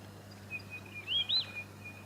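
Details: A white-fronted honeyeater in Victoria, Australia, in August 2017 gives two quick, high, arched squeaky notes in close succession, over a faint thin whistle and a low steady hum.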